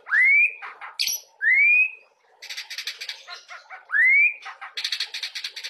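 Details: Young oriental magpie-robin singing. Loud, clear rising whistled slurs repeat about every two and a half seconds, alternating with buzzy, rapidly pulsed rattling phrases.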